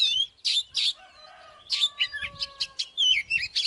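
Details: Oriental magpie-robin song used to stir up fighting: loud high chirps and whistled slurs, then a short pause over soft lower notes before more rapid bursts.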